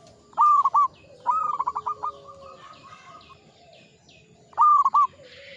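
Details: Local zebra dove, old and singing often, delivers bursts of quick rolling coos: a short phrase, a longer fading run of rapid notes, then another short phrase. Faint background chatter is also present.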